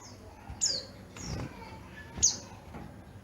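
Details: Oriental white-eye, yellow-breasted form from Garut, Java, praised for its crystal-clear, loud song. It gives a few high, thin, falling chirps, two of them stronger, over soft background noise and faint low rustling.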